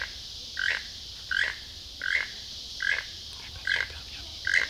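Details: Toucan in Costa Rica, whose song is said to announce fine weather the next day: a croaking two-part note repeated about every 0.75 seconds over a steady hiss of insects.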